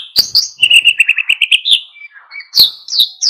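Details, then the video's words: Oriental white-eye in lively wild-style song, used to excite other birds: sharp high chirps, a run of quick slightly rising notes, a thin lower whistle, then more bright descending chirps. "SUARA PLECI GACOR NGALAS PANCING EMOSI BURUNG LAIN IKUT GACOR"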